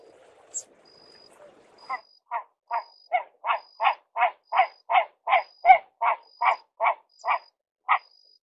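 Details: Great crested grebe calling: after a faint start, a steady run of about seventeen short, harsh, nasal notes, nearly three per second, growing louder and then easing off. A thin high tone sounds faintly throughout.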